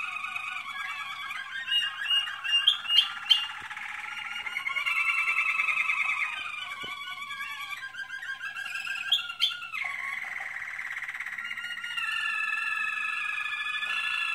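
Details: Extended song of an American Singer canary in training, flowing through buzzy rolls, slurred whistled phrases, brief sharp clicks and sustained trills, changing pattern every few seconds.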